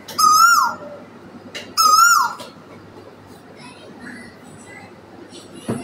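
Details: Morning song of an Asian koel in a tree: two loud, ringing whistled notes about one and a half seconds apart, each rising gently then falling away, followed by quiet with faint distant sounds.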